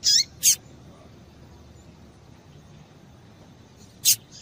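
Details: ['Call of a female Double-collared Seedeater, used to warm up a male: two high, sharp chips close together at the start, then a long quiet gap before a third short chip, with a steady low hiss throughout.']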